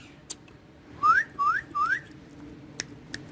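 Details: Green ringneck parrot, a talking pet, whistling three upward-sliding notes in quick succession, each about a fifth of a second long, with soft taps in an otherwise quiet indoor setting.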